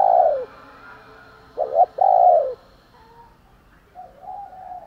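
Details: Spotted dove cooing; the recording is described as fight-provoking coos and morning calling coos. A loud low coo opens, then a short double note and a longer loud coo follow after a pause, with fainter coos from further off.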